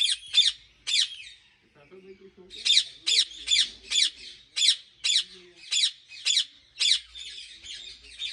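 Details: Ringneck parrots at a large breeding farm in Pakistan, harsh screeching squawks repeated in quick bursts about twice a second, with a short low murmur of speech midway.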